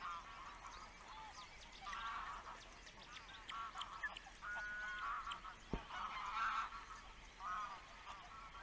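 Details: Osprey father at the nest, webcam recording; repeated rough, harmonic mid-pitched calls in several bursts, one louder near six and a half seconds, over faint background bird chirps.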